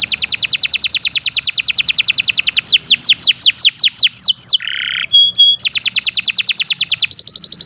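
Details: Canary song from an Indonesian masteran recording for tutoring other birds: long, fast, very high trills of rapidly repeated notes, shifting into slower sweeping downslurred notes, a brief buzzy note, then resuming the rapid trill.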